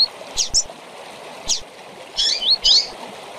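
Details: Tui-tui style double-collared seedeater song with chirped calls for teaching young birds: a few scratchy high chirps, then clustered slurred whistles near the end, with a continuous stream murmuring behind.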